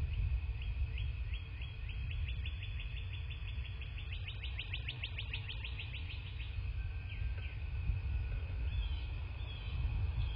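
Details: Bald eagles at their nest in a quiet southwest Florida landscape, nest cam, February 2024 morning. A long chattering series of high piping notes speeds up and grows louder over six seconds, then a few scattered notes, over constant low rumble.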